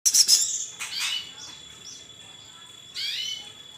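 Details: Greater green leafbird from Kalimantan singing: loud bursts of high, sweeping chirps and quick descending slurred notes, separated by a quieter stretch of soft high whistles, with a constant thin electronic tone underneath.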